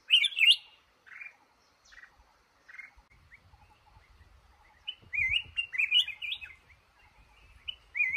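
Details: Red-whiskered bulbul, male, near a trap in a cashew garden: short bright warbled phrases with sliding notes, a loud burst at the start, then quieter scattered notes and a fuller run of rising-falling whistles near the end.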